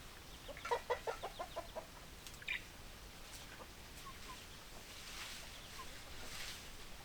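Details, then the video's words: Chicken clucking: a quick run of about eight loud, throaty clucks in just over a second, then a sharper single note and softer scattered clucks over steady faint background noise. "Chicken Sounds Noises Hens Clucking Roosters Crowing"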